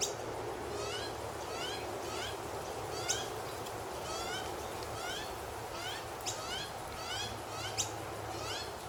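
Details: Noisy miner chirping from a tree in the morning in Australia: rising, slurred chirps repeated about twice a second, with a few sharp high clicks, over a steady low rumble of background noise.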